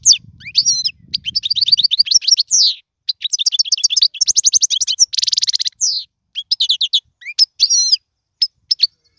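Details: Goldfinch singing a song meant for teaching young birds: fast chattering twitters and trills, a dense buzzy burst around the midpoint, then scattered bright notes; faint low hum only at the start.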